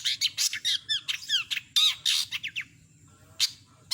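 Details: Long-tailed shrike (cendet) in full mimicry song used to tutor songbirds: a rapid jumble of sharp chirps, upslurred whistles and raspy notes, then a pause and one more harsh burst, over a faint low hum.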